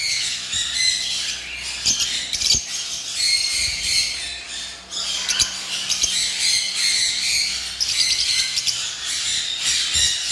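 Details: Lovebirds calling together: a dense, shrill chatter of high squeaks and chirps running without pause, with sharper squawks standing out every second or so.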